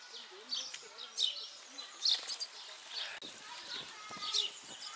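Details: Hungry house sparrows in a zoo gather at a table to be fed, giving shrill, insistent begging chirps in irregular bursts about once a second, with a faint murmur of human voices underneath.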